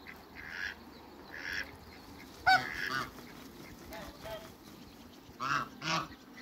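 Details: African geese on a farm greeting another animal, heard as scattered nasal honks: one sharp loud honk in the middle, with quieter distant honks before and after over a noisy background.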